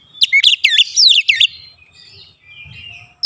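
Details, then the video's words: House-kept Oriental magpie-robin singing as a daily prompt to keep birds in song: a rapid burst of loud, high, sweeping whistles, then a fading quieter warble and soft background rustle. "memancing harian Kacer rumahan selalu bunyi gacor"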